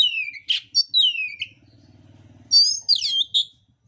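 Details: Contest song of a fighting oriental magpie-robin: harsh buzzy notes and downward-sliding whistles, a short pause with low background hum, then a burst of complex high twittering and whistled phrases.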